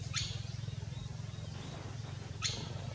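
African goshawk giving two sharp, dry clicking notes a little over two seconds apart, over a steady low engine-like hum.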